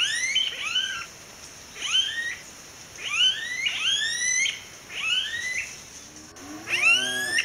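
Smooth-billed ani giving whining, upslurred whistles, each about a second apart, with a steady high insect-like hiss behind.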